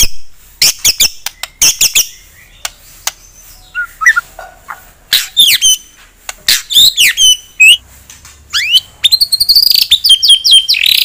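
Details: Song of a white-rumped shama meant to stir a rival's fighting mood: scattered clicks and sharp ticks give way to fluid whistled phrases and a dense, rapid chattering burst near the end.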